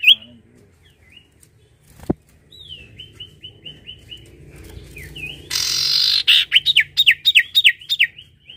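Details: Sirtu singing energetically: scattered soft whistles and a sharp click first, then a steady string of short upward-bending notes, a loud hissing burst, and a closing volley of clear, looping whistles.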